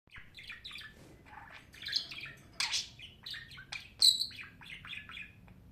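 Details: Pet budgerigar chattering: a continuous run of high, scratchy chirps and warbled notes with a few sharper squeaks, over a faint low background hum.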